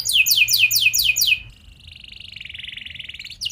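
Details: Canary singing a lure song meant to make other canaries sing back, with luxurious varied phrasing and long bursts: a rapid series of high downward-sweeping notes for over a second, then a quieter buzzy rolling trill, and a new phrase starting at the end.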